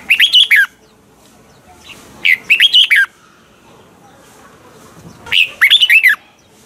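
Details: Caged-bird training recording of a Red-whiskered bulbul in mature wild style, singing double notes: three brisk phrases of five or six clear, up-and-down whistled notes with silent pauses between.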